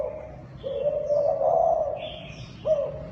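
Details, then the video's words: Zebra dove, known locally as Thai dove, giving soft bubbling coos: a long rolling phrase followed by a short rising note, steady and low-pitched, with faint background hiss. "Tiếng Chim Cu Thái Kích Bổi"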